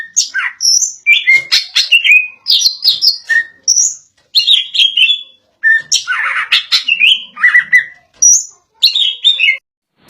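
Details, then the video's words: Insistent 'ngotot' song of a greater green leafbird: rapid varied phrases of bright chirps, high whistles and rasping slurred notes, given almost without pause. "Cucak ijo suara ngotot"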